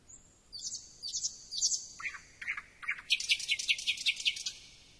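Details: Song of a thrush nightingale: a high whistle, then strong rasping high phrases, a few lower chopped notes, and finally a fast series of loud, sharp notes that sweep downward in pitch.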